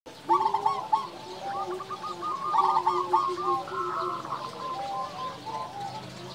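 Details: Local zebra doves singing loudly and persistently, kept for training and luring other doves: rapid trilled cooing phrases near one pitch overlap throughout, several birds calling at once with lower drawn-out coos beneath.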